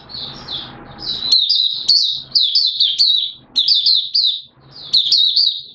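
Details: Singing Oriental white-eye from Malaysia, buka song style, Singapore on 29 March 2023 in warm humid weather: four or five bursts of shrill, rapid twittering notes, each burst lasting about a second, with brief quiet gaps.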